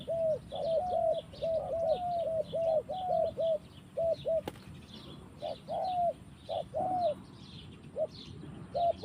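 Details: Wild spotted dove in forest, cooing in rapid runs of short rounded hoots, then slower, spaced single and double notes; a sharp click near the middle and constant high-pitched background chirping from other animals.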